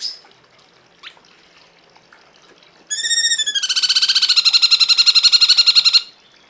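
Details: Cungkok song used to tutor cage birds: after faint scattered chirps, a loud rattling trill of fast, evenly spaced ringing notes runs for about three seconds, then stops abruptly.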